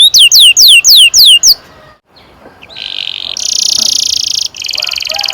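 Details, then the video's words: Canary tutor song for young birds: six loud downward-sweeping whistles, a pause of near-silence, then two buzzy high trills at lower volume. "Kenari gacor NGEROL PANJANG cocok untuk PANCINGAN KENARI PAUD bikin BURUNG KENARI GACOR PANJANG"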